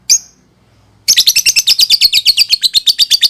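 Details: Lovebird, a recording offered as a lure for young birds: one sharp chirp, a short pause, then a fast, steady chatter of shrill ticking notes, about six per second.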